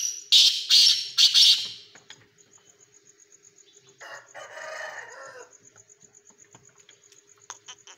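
A black pheasant gives three loud, harsh, rasping bursts in quick succession, then a grating rattle a few seconds later; steady faint ticking and a low hum run underneath.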